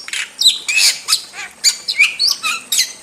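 A starling's busy song: a rapid, jumbled run of chattering notes, clicks and sharp rising whistles, delivered in quick bursts with no real pause.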